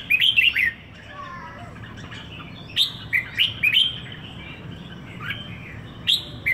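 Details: Captive red-whiskered bulbul in Singapore, one week with its keeper, delivering several clear, fluty warbled phrases of rising and falling whistles, with softer notes between loud bursts.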